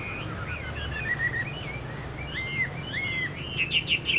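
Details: Caged Chinese hwamei kept as a songbird, sings a fairly quiet run of clear whistled phrases that slide up and down and repeat in short bursts, over a steady low hum.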